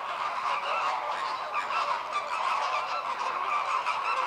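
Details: Flock of American (Cuban) flamingos in group courtship display, synchronising head-turning and wing-opening before breeding, gives a dense, unbroken chorus of overlapping, goose-like nasal honking with no pause.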